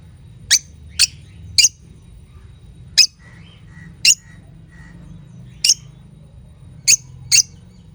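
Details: Pet lovebirds kissing and playing indoors, giving sharp, high, very short chirps scattered irregularly, eight in all, with a few faint softer squeaks between them over low room hum.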